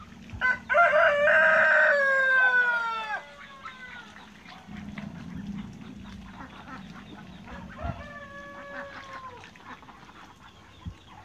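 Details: A group of ducks playing in water in a backyard, giving loud, nasal, harmonic quacks that slide downward in pitch, a rapid burst early on, then quieter scattered calls and a second descending series near the end.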